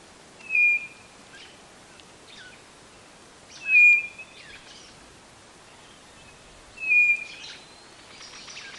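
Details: Repeated whistles of a White-bellied nothura, song used to attract birds: three level notes about three seconds apart, mixed with scattered chirps from other birds.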